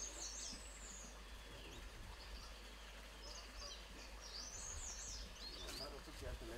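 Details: A grey-headed canary-flycatcher in Motidhar gives high, thin, sweet notes in short bursts, some sliding down, over a steady low rumble of background noise.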